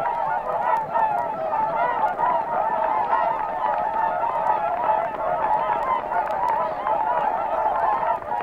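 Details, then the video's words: A large flock of Whooper Swans at Matsalu, Estonia, in a 1979 field recording, calling together in a dense, unbroken chorus of loud, bugling, trumpet-like honks. "Whooper Swan"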